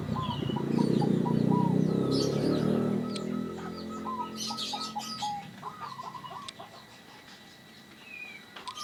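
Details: Local zebra dove calling actively, with a voice described as strange, rare, antique and unique. Low, pulsing cooing for about three seconds, then fainter coos. Other birds chirp and whistle high throughout, with a steady tone in the background.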